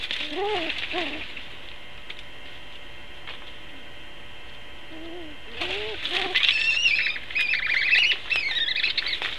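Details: At its nest, a Long-eared Owl defends against another Long-eared Owl, giving short wavering nasal yelps, then a burst of shrill, high squealing whistles that rise and fall over a soft background hiss.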